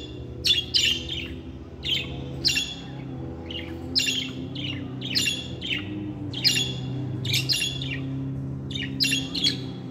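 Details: Pet budgerigar singing a happy song, played for lonely birds: bursts of short, scratchy, high chirps and squawks come in quick clusters about every second. A steady low hum sits underneath.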